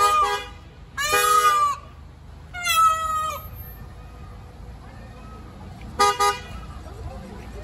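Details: A peacock, filmed attacking a van, gives three loud, nasal, horn-like wails, each under a second and spaced irregularly, over a low outdoor rumble.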